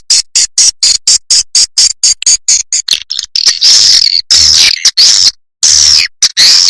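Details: Swiftlet lure track: a fast train of evenly spaced metallic ticks speeds into long, loud, buzzy twittering calls broken by short pauses.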